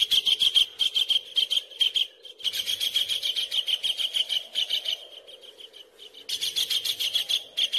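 A kingfisher gives fast, harsh, chattering notes, repeated in rapid bursts over a low steady hum.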